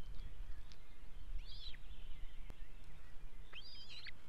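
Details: Osprey at a nest in Estonia, 2018: two short, high, arched chirping calls about two seconds apart, heard over a steady low rumble of wind.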